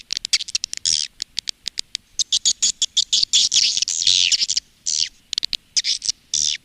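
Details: Swiftlets give rapid, dry, high clicking chirps in quick bursts, some run together into buzzy chatter, with brief pauses between groups; this is a call and roosting sound that swiftlet farmers play to lure the birds.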